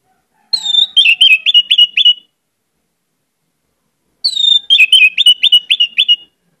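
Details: Orange-headed thrush in energetic, varied song: two matching phrases a few seconds apart, each a high whistle followed by a fast series of five or six slurred, dropping whistled notes.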